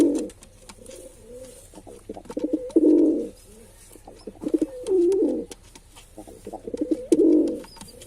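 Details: Deep burbling coos of a male pigeon, a swelling rolled note about every two seconds, broken by short stammering grunts and faint tapping sounds.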